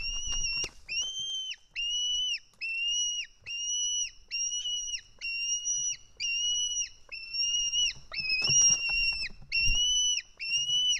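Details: An Estonian White-tailed eagle chick screams for food as a parent feeds it fish, 4 July 2018 at 1:10 pm. A long run of high, steady whistled screams comes about once a second, with soft nest rustles between.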